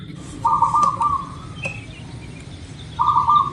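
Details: Zebra dove of local stock, a lure recording meant to make birds start singing fast, gives two rolling, trilled coos of about a second each with a gap between, against low rumbling background noise.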